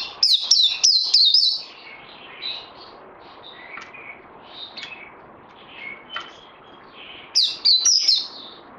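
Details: Bird in training, recorded 18 May 2020: quick bursts of loud downslurred whistles open and close the clip, with quieter, lower scattered notes in between.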